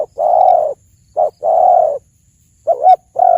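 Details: Spotted dove calling for use as hunting bait: long level coos paired with short clipped notes, then a wavering two-part phrase that dips and rises before another long coo, close and loud.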